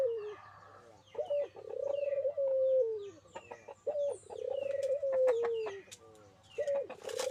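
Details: Local puter dove cooing vigorously: repeated phrases of a brief sharp note then a drawn-out rolling coo that sinks in pitch, about every two and a half seconds, with scattered clicks and rustling.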